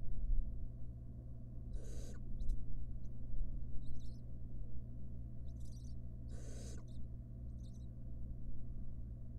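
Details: A barn owl mother tends her nestlings inside a wild nest box. Two loud, rasping hisses about four seconds apart, with faint high twitters scattered between them, over a steady low electrical hum.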